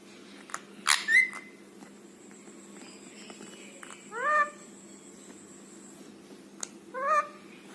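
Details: Rescued rose-ringed parakeet kept at home, a talking bird: three short bursts of harsh, harmonic squawks with arched, rising-then-falling notes near the start, middle and end, separated by quiet stretches over a steady low household hum.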